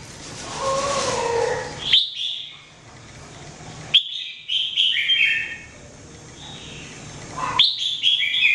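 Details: Red-whiskered bulbul daily training song: three separate bursts of sharp whistled notes a couple of seconds apart over a constant low hum and a faint lower tonal sound.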